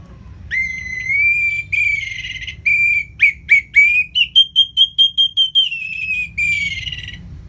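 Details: Ngeplong singing from an orange-headed thrush, played to coax lazy birds into song: long sustained clear whistles, then a fast stuttering run of a dozen sharp notes, ending in another drawn-out whistle, low hum beneath.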